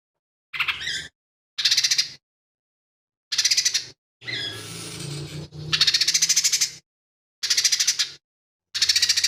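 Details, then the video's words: Lesser green leafbird in full song, mixing in mimicked fighting-sparrow, kingfisher and cililin phrases. Separate bursts of high buzzy rattles alternate with a longer scratchy, warbled passage. "CUCAK IJO MINI GACOR"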